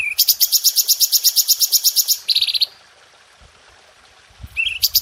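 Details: Red-whiskered bulbul recorded to train cage birds: a quick series of about twenty sharp, piercing notes, then a short buzzy rattle, silence, and a fresh run beginning.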